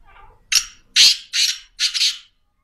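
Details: Black francolin calling: four loud, harsh, grating notes. A sharp first note is followed by three longer rasping bursts about half a second apart. Faint lower chatter comes before the call, and the background is otherwise quiet.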